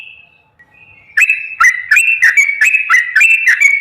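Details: Yellow-vented bulbul singing a long rapid-fire ropel song, used as a lure to make caged birds sing. A brief faint note, then a quick run of bubbly, slurred whistled notes, each dropping and then rising, repeated about three times per second.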